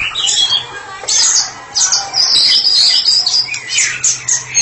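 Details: Caged white-rumped shama used as a therapy bird, in full open song: high sharp whistles and fast chattering trills in dense bursts, with a low steady hum behind.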